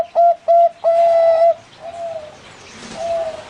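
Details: Zebra dove, Bangkok type, caged at a bird farm in Pamekasan, Madura; two crisp short coos then a long drawn note, followed by two softer, fainter coos against quiet background hiss.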